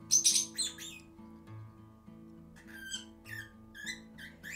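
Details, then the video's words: A lovebird that was found gives sharp, high chirps and squeaky notes in short bursts, heard in the background over steady soft music. "Eso que se escucha de fondo sigue siendo el pajarito que hemos encontrado, que es un agapornis."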